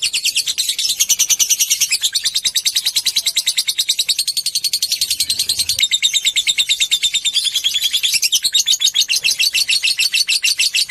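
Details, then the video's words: Long ngekek trill from a fighter lovebird, a lure recording to excite other lovebirds: around eleven seconds of rapid, rasping pulses, a rattling chatter that shifts slightly in pitch near the midpoint and again later. "pancingan love bird ngetik merangsang love bird ngekek panjang"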